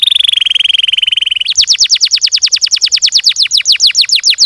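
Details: Canary song in gacor style: a steady mid-pitched buzzy trill with fine pulses, switching abruptly to a fast series of bright downslurred whistled notes.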